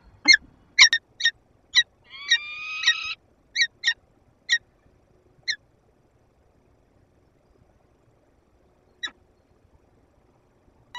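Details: Peregrine falcon in a nest box at a power plant in Lublin, 15 February 2022, interacting with its mate, from a live nest camera. Harsh, clipped calls repeat quickly and irregularly, broken by one drawn-out wailing call, then sparse single notes.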